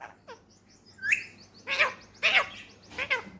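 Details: Talking male ringneck parakeet, a pet bird from Pakistan, utters a run of short harmonic syllables and chirps, several rapid speech-like notes in quick succession over a steady low hum.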